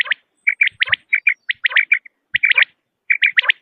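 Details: Quail calling, recorded for luring birds during hunts in Pakistan; crisp high notes delivered in fast groups of two to four, with brief pauses between bursts and silence behind.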